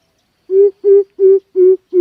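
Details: Coucal lure call used to attract birds for trapping: a series of deep, hollow, even hoots, five evenly spaced notes about a third of a second apart, on a clean, silent background.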